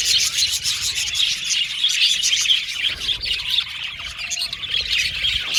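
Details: Crowded budgerigar aviary colony calling, rapid overlapping chirps, short warbled notes and scratchy squawks, several bursts each second in a continuous chatter.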